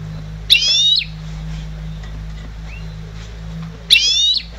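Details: Trained goldfinch hybrid bred in 2011, kept as a singing bird: two short, buzzy, rattling phrases about three seconds apart, over a steady low electrical hum.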